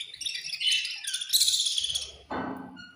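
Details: Budgies of a colony at feeding time chatter in fast high chirps, then a sudden broad rustling noise takes over toward the end.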